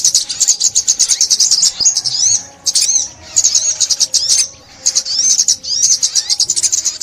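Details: High, rapid sunbird twittering used for trapping in 2021: dense trilled phrases with several curved, whistled sweeps, pausing briefly around the middle before the chatter resumes.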